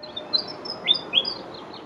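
Willie Wagtail giving a quick run of high, sweet chirps, with two brighter rising whistles close together near the end, over faint background hiss.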